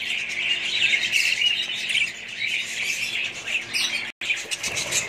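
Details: Budgerigars kept as a family group, their busy high-pitched warbles and chirps merging into a continuous chatter, broken by a brief silent gap near the end.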